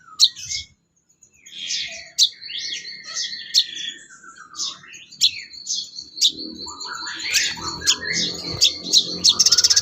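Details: Sooty-headed bulbul song used as training material for songbirds: busy mix of sharp chirps, rising whistles and a sustained high trill, with rapid clicking notes toward the end.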